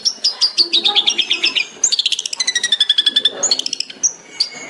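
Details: Long-tailed shrike (cendet) singing 'tembakan' for songbird training: descending runs of quick, high chirps, a falling rapid trill, then scattered thin whistles.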